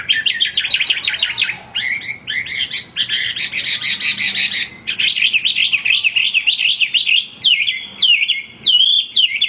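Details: Hwamei, a male bird, singing without pause: loud, continuous run of rich whistled phrases with rapid warbles and trills, varied slurred notes rising and falling, short gaps between bursts.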